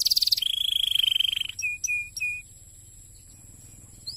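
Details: Canary song to stimulate other canaries: a brief fast trill, a sustained buzzy high roll, a few short notes, then near silence with one faint rising note.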